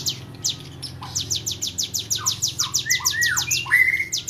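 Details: Tame hill prinia singing vigorously: a fast series of short, high, downward-sweeping notes repeated about twice a second, with a few lower slurred whistles near the end and a low steady hum beneath.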